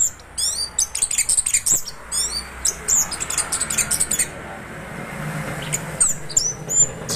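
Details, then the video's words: Orange-headed thrush singing gacor ngeroll: quick runs of high, sharp chirps and slurred whistles, rapidly repeated, then a quieter stretch and a few final whistled notes, with a low background rumble. "Anis kembang Gacor Ngeroll"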